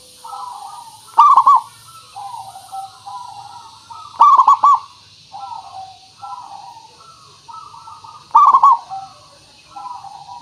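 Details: {'caption': 'Local zebra dove singing constantly, used as a lure so other doves answer at once: a loud stuttering run of three to four quick cooing notes repeats about every four seconds, with softer drawn-out coos between the phrases.'}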